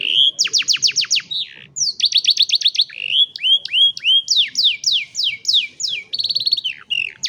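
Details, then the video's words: Canary song for training young canaries, phone-recorded: bright rapid trills of sweeping notes in rolling phrases several per second, with brief gaps between tours and clear high whistles. "Canary Singing"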